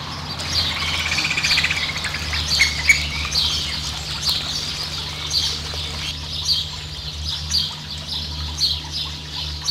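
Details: Variable oystercatcher in New Zealand, with a chick: bursts of high squawking and piping notes, denser and more excited in the first half, then spaced-out sharp calls over a constant low droning hum.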